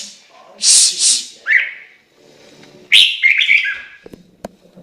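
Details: Chinese hwamei singing: loud slurred whistles rising and falling around the middle pitches, broken by short bright rasping bursts and a pause before a rich warbled phrase near the end.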